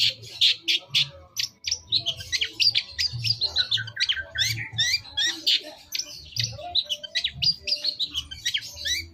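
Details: Long-tailed shrike masteran song meant to provoke a reply: dense, fast run of sharp high chirps and scratchy notes, nearly continuous for nine seconds.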